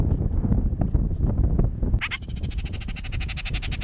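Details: Baltimore orioles bickering over a backyard jelly feeder on a windy day; after two seconds of wind rumble comes a loud harsh burst, then a fast dry chatter of rapid repeated notes to the end, under steady wind.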